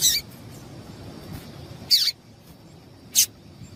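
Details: Female double-collared seedeater call, used to make males sing: sharp, high chips near the start and at about two and three seconds, separated by quiet gaps over faint background hiss.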